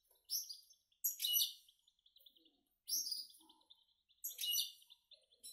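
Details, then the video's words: Goldfinch-canary mule chicks in a cage, now eating alone, deliver short sharp twittered phrases about once a second, each a bright ringing burst followed by soft buzzy trailing notes. "mixtos de jilguero y canaria"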